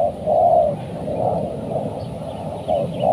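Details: Dove cooing while a trained decoy spotted dove lures wild doves, which came down and were caught. A long low coo, then softer blurred coos running together, with another coo at the end over background murmur.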